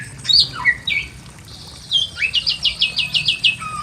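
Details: Pekin robin singing vigorously in a simple aviary cage: a few slurred whistled notes, then a quick run of about eight repeated rising-and-falling whistles, closing on a single lower whistle.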